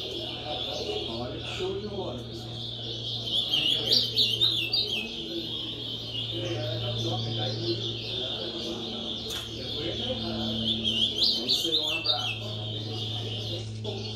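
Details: A young ultramarine grosbeak (Cyanoloxia brissonii) sings bright, warbled phrases in short bursts amid the noise of a songbird competition circle, over steady crowd chatter and a low hum.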